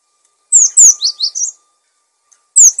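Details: Actively singing cinereous tit, intended for training other birds: one phrase of six notes, two very high down-slurred whistles then lower rising-falling chirps, with another phrase starting after a pause.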